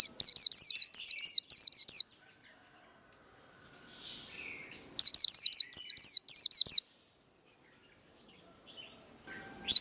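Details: Japanese white-eye delivering a fighting song used to train caged birds: two long runs of fast, high, downward-sweeping whistles about three seconds apart, with near silence and faint soft calls between them.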